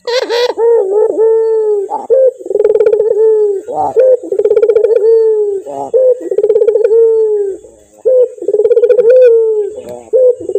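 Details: A male puter, the Barbary dove, cooing continuously with a clear voice: steady low rolling coos, each a second or two long, with short clipped notes between them and hardly any pause.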